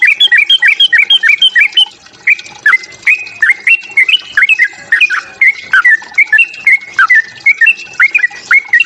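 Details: Yellow-vented bulbul fighting song to provoke others: a nearly continuous stream of loud, clipped whistled chirps, quick and jerky, with a short break near two seconds before the chatter resumes.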